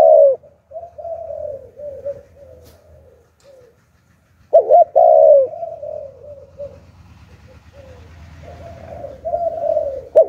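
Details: Spotted dove lure bird with the 'Hạp Bổi' voice style. Gives low, slurred coo phrases, one loud double hoot and a long note near the middle, then softer cooing over a steady low rumbling background.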